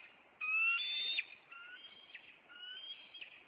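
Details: Bald eagle from a Maine nest pair chasing an intruder on April 26, the male landing on a nearby branch; three high, drawn-out whistled squeals with a fainter lower harmonic, each ending in a quick downward flick.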